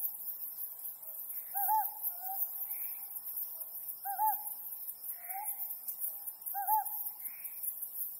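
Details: Under the mid-autumn full moon, a Ryukyu scops owl repeats a crisp arched two-part hoot every two and a half seconds, three times, as a softer owl replies between calls and insects buzz steadily.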